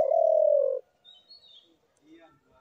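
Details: A single long, low, steady dove coo fades out, followed by quiet with faint scattered chirps of other birds.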